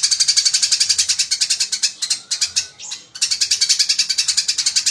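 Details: Eurasian tree sparrow in a fight, as a training track: a dense, rapid run of harsh, high chirps, roughly seven per second, broken by a short pause near the middle before the chatter resumes.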